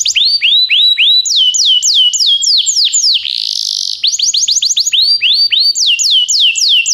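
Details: Belgian canary singing to spur other canaries into song: clear whistled notes dropping then leveling, repeated about three per second, with a sustained buzzy passage midway before the sweeps return.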